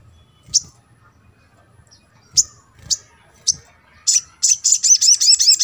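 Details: Sogon song used to stimulate a reluctant bird to sing: a few sharp, high, spaced chirps, then a rapid burst of looping, warbling, repeated high notes building in loudness toward the end.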